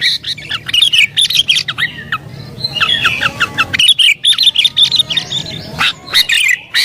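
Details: Agitated sooty-headed bulbul song meant to provoke rivals and call in wild birds: dense, continuous run of liquid chirps and slurred whistles with hardly a break, lively and excited throughout.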